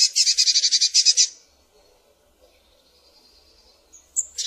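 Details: Scolding churr from a Eurasian blue tit, a fast run of around ten harsh buzzy pulses, followed by near silence with faint high thin notes and a brief final burst.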